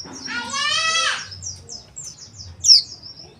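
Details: Oriental white-eye, used to encourage coarse twittering: a harsh, raspy buzzing note comes first, followed by a series of thin high twitters and one loud sharp chirp, with low hum underneath.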